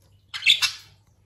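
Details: Single short, harsh squawk from a talking pet budgerigar after a recent moult, a raspy burst lasting well under a second with a second rough pulse at its end, over a faint steady hum.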